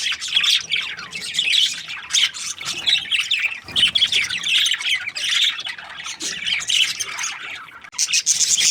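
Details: Happy breeding pair of budgerigars chattering nonstop: dense, rapid warbling twitters and squeaky chirps, layered and overlapping with barely a pause throughout.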